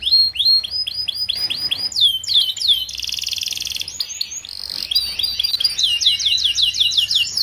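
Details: Canary song of the Paud style, used as a tutor recording so young group-kept canaries learn to sing quickly; fast, high, repeated rising whistles and rolling trills, with a harsh buzzy burst midway, then rapid chopped note series.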